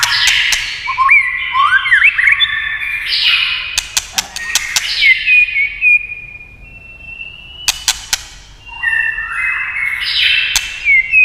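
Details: White-rumped shama song spurred by tail-tap clicking: rising slurred whistles, a long sustained clear note, a quiet gap, then more whistled phrases, with crisp clicks scattered throughout.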